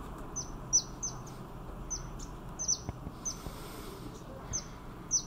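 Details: Yellow-bellied fairy-fantail in Thailand, a small bird about 8 cm long, giving very high, thin, slightly downslurred tsit notes at irregular intervals, roughly two per second, over a soft background hiss.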